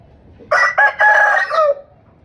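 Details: One loud rooster crow, said to establish territory, communicate with rival roosters and attract hens; a full cock-a-doodle-doo with short clipped opening notes and a sustained harsh final note that slides lower.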